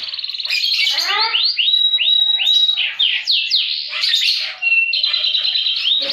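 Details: Canary in loud, lively song covering high and low notes, kept as a master recording and lure for canaries that have stopped singing: rapid falling trills, a steady whistled tone, and rolling repeated phrases.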